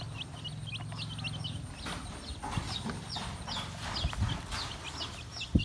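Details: Feeding baby chicks make rapid high peeps, some rising and some falling, over a constant low hum. Occasional clicks and knocks sound like pecking at food.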